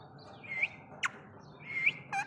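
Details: Female rose-ringed parakeet giving a meeting call to a male: two shrill, rising squawks about a second apart, broken by short sharp clicks, over quiet low background noise.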